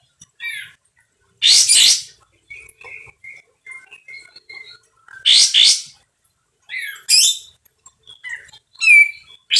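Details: Sooty-headed bulbul in full song, its voice loud and harsh: a few raspy, broadband bursts mixed with short clear whistled notes and chirps, given in uneven phrases with pauses.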